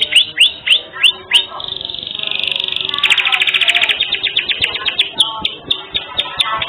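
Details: Canary in active song as a tutor recording: five quick rising chirps, a long dense rolling trill, then looser repeated chirping notes.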